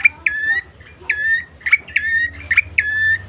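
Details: Bar-winged prinia in an energetic lure recording meant to prompt other birds to sing: sharp, ringing notes near one pitch, with brief rising and falling flicks, repeated about seven times in three seconds.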